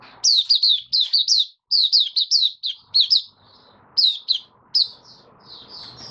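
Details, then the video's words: Captive white-eye starting its song on 23 March 2022 in warm humid conditions: clustered high chirps that slide downward, delivered in quick groups, then thinning to a few isolated notes over a soft low hum. "Mata Puteh Kitaro Video 1 buka sing"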